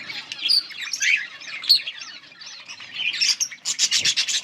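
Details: Yellow budgerigars trade high twittering warbles and short whistled notes, ending in a fast run of sharp repeated chips about ten per second.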